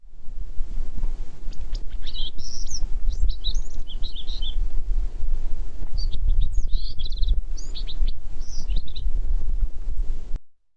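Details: Bewick's wren singing on the Point Sal Trail near Orcutt on a foggy early-summer 2020 outing, phone-recorded: two bright, high phrases of about two seconds each, mixing quick buzzy notes and thin trills, over a steady low wind rumble.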